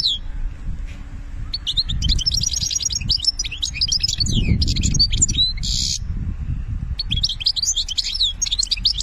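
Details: European goldfinch in the Algerian benna song style, pouring out long runs of rapid, tinkling, liquid twitters and buzzy trills, with a brief pause mid-song, against low constant hum.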